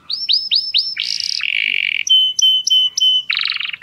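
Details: Canary singing to stimulate females for mating: four high, falling whistled notes, then a buzzy rolled trill, a series of sharp clipped notes and a final harsh rattle.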